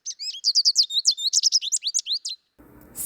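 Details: A wild American goldfinch (Spinus tristis) on spring migration in southeast Saskatchewan or southwest Manitoba, April–May, gives a quick, bright run of high twittering notes, about fifteen in two and a half seconds, before a brief burst of low noise.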